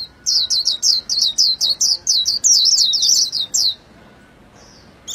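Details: White-eye pouring out a fast, even series of high, sweet, bouncing chirps for about three seconds, then stopping into quiet.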